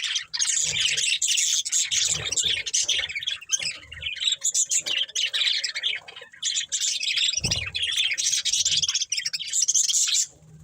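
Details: A budgerigar breeding pair keeps up dense, harsh chattering with squawky chirps throughout, punctuated by a brief low knock.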